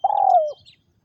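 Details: A decoy spotted dove from Vietnam, used to lure wild doves into traps, gives one long, mellow, slightly wavering coo that slides downward and fades in about half a second.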